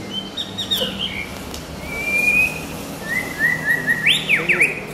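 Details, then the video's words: A white-rumped shama sings clear, drawn-out whistles that slide up and down, ending in quick swooping notes, with a faint low hum underneath. "shama นกบินหลาดง"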